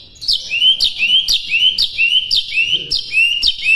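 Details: White-rumped shama training song: a steady, rhythmic phrase repeated about twice a second, each a high sharp note dropping into a short upslurred whistle, producing a bouncing, even pattern.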